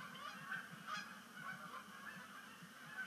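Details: Short, sharp honks from a Canada goose flock settling on Sapsucker Woods Pond at sunset during migration, 5 October 2019, several birds calling within a few seconds over a low murmur.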